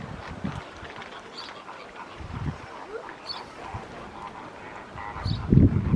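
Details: Pink-backed pelican (Pelecanus rufescens) colony at Réserve Africaine de Sigean: deep, guttural grunts every second or two, with a faint, higher murmur of other birds in the background.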